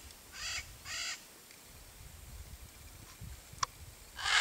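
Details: A blue-and-yellow macaw (Ara ararauna), camouflaged in a tree in the Brazilian Cerrado, gives two loud, harsh, raspy squawks about half a second apart, then another begins, over a quiet outdoor background.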